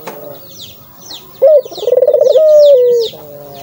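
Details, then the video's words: Dove coo, offered to stir a kept dove into calling: after quiet background, a sharp rising note leads into a fast pulsing roll and a long, slowly falling tone, while small birds chirp high above. "buat burung puter mu bunyi karena ini!!!"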